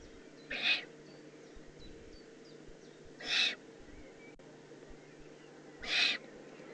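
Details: Young Eurasian eagle-owl in the Eifel, 18 June 2016: three rasping, hissed calls spaced roughly two and a half seconds apart, with faint thin chirps of other small birds early on.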